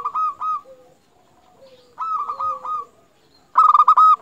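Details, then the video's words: Local zebra dove in song, used to encourage other zebra doves to sing; short coo phrases and low drawn notes, ending in a loud rapid stuttering burst of cooing. "Perkutut Lokal Gacor Paling Ampuh Untuk Pancingan Burung Perkutut Agar Bunyi"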